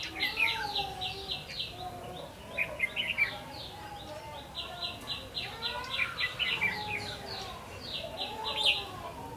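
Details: Red-whiskered bulbul; fighting song; provoking rival males to fight over territory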